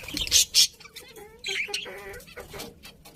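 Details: Budgies calling: two loud harsh squawks at the start, then softer nasal, slightly tonal chatter with short warbled notes.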